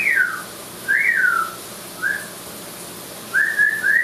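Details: Amazon parrot vocalizing in a shower: four bursts of clear whistled notes, each sliding down or arching up and down, the last a quick run of three linked whistles, in a small quiet room.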